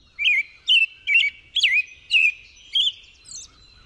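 An American Robin sings a run of seven short, whistled, caroling phrases, about two per second, each rising and falling, in a long unbroken sentence.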